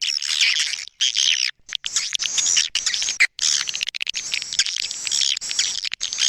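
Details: Edible-nest swiftlet calling sound, A Leyung, played to attract swiftlets: high thin twittering chatter in long runs broken by a few short silences.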